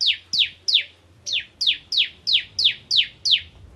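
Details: Kristal-type bar-winged prinia in lively nembak ngentrok song. Bright, high notes that each slide steeply downward, repeated roughly three times a second in an even series of about ten, over faint low hum.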